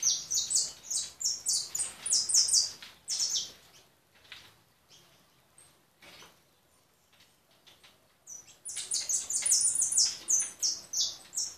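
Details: European goldfinch singing a fast, high, tinkling twitter of rapid liquid notes in dense bursts, pausing briefly midway with soft clicks before resuming the bright chattering phrases.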